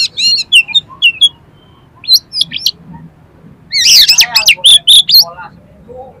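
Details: Song of an Oriental magpie-robin, played to urge other magpie-robins to sing and fan their tails: quick trilled whistles and sharp chips, a short lull, then a loud burst of warbling and wavering whistled notes.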